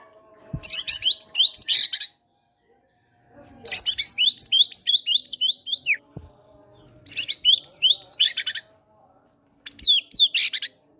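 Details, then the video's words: Fighter white-rumped shama singing cinereous tit (gelatik batu) imitations as a prompt for sulking caged birds: four rapid bursts of sharp falling whistles and rattling notes, the longest about two and a half seconds, separated by silence. "PANCINGAN MURAI BATU FIGHTER GACOR BONGKAR MATERI GELATIK BATU"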